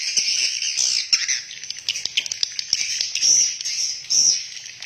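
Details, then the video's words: Within a swiftlet house, distinct shrill chirps and short twittering bursts from swiftlets rise and fall against a thinner background chorus, with clear gaps between louder calls. "SUARA ASLI BURUNG WALET DALAM RBW"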